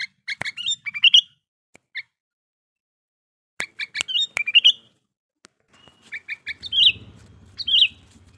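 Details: Sooty-headed bulbul in strong breeding condition, giving short bursts of bright, chirpy notes that end in a warbled flourish. Phrases are separated by pauses and mixed with sharp clicks, with a faint low hum near the end.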